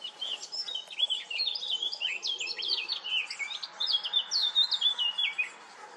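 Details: A Blackcap sings at Goldcliff: a fast, rich warble of varied high notes, running continuously and brightening into clearer, louder phrases toward the end.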